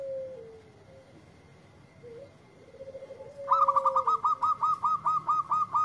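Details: Local zebra dove reacting to a lure recording: a low sliding whistle and faint soft notes, then a loud run of about a dozen evenly spaced, rapid staccato notes in the final seconds.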